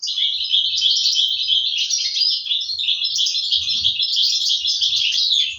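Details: European goldfinch chicks being fed by their parents, recorded in 2023: a continuous, dense chatter of high, scratchy twittering notes with no pauses, over faint low thumps.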